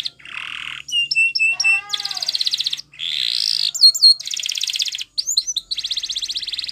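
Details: Spanish Timbrado canary singing a varied training song: low buzzy rolls, metallic clipped notes and bright rapid trills alternating with short pauses.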